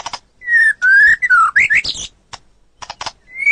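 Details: White-rumped shama song for songbird training: long drawn-out whistles gliding slightly down, followed by twisting upslurred notes, harsh buzzy bursts and scattered clicks, closing on a rising whistle.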